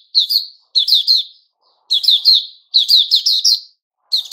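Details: A white-rumped shama sings its "buka" opening song, recorded 29 August 2021: clusters of two to four quick, high, slurred notes separated by short pauses.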